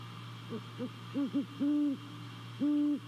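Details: Great horned owl hooting at a nest in Savannah, picked up by a nest camera on 28 December 2020 at night: soft low hoots build into a series of longer, steady, deep hoots, with a constant low hum behind.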